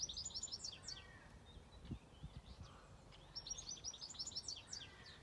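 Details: Farm birdsong: bursts of bright, high twittering and slurred chirps, a pause with scattered softer notes, then another rapid twittering burst. Light background hiss and a few low knocks.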